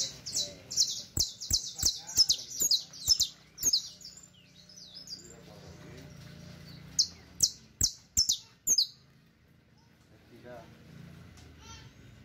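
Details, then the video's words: Saffron finch song used for teaching: bursts of sharp, high chipping notes repeated rapidly for about four seconds, a quieter gap, then another short run of piercing notes and soft faint calls near the end. "El Mejor CANTO De CANARIO CRIOLLO Para Enseñar"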